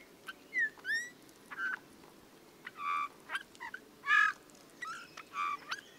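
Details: Eurasian bullfinch song, likened to creaking metal and given mostly during the breeding season: scattered soft whistles, some rising, mixed with several nasal, creaky buzzing notes with rich harmonics, spaced about a second apart over quiet background hiss.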